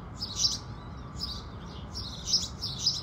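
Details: Morning chorus of house sparrows at sunrise, giving scattered short buzzy chirps in uneven clusters, with several birds overlapping at times, over a faint low hum.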